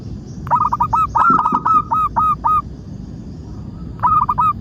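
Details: A local zebra dove sings as a lure for other doves: a fast run of about ten hooked, bubbling coos, a pause, then three more, over faint low background noise.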